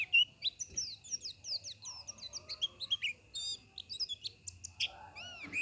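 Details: Rapid high twittering from a white-eye, quick slurred and looping chirps strung together, ending in a few lower, drawn-out curving notes, with a faint constant whine behind.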